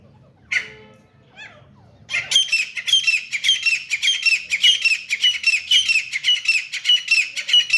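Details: Fighting grey francolin, known as teeter: a single harsh squawk, a brief pause, then a long unbroken run of rapid, shrill, grating notes repeated nearly twice a second.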